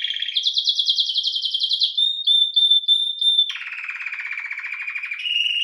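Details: ['Domestic canary, called canário-belga or canário-do-reino, singing: a low buzzy trill gives way to a fast high rattling roll, then pure whistled notes, then a lower rolling trill.']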